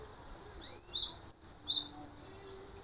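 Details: Short run of high, bright notes from a male cinereous tit, meant as tutor song for other songbirds, delivered as quick rising-falling doublets over a quiet background.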